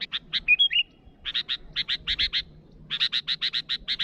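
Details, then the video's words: Sooty-headed bulbul challenging rivals with a rapid run of harsh, evenly spaced chattering notes, about four per second, broken once by a brief bubbling whistle near the start. "Suara burung Kutilang Gacor memanggil lawan"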